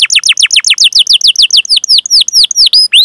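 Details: Canary singing 'cuit cuit' chirps for training other canaries; a quick series of steep descending whistles slows into spaced rising and falling chirps, ending on a long upswept note.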